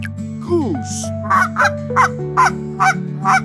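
A duck gives a run of harsh, nasal quacks, about two a second, over a steady background of soft sustained music.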